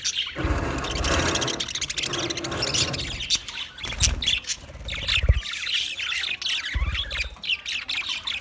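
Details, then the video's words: Twenty budgerigar pairs chirping as a group; a harsher, fuller squawking passage opens, then gives way to bright overlapping twitters and sharp clicks. "20 Budgie pairs chirping sounds"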